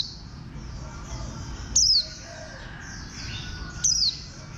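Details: Warbling white-eye, styled as a bantam-shaped green white-eye: two clear, high, falling chirps about two seconds apart, set against a steady wash of distant bird twittering.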